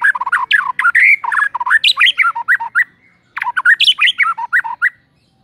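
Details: White-rumped shama song played as a morning lure to make birds sing: dense, rapid chattering and whistled notes in two long bursts, with harsh squawky elements mixed with clear rising whistles.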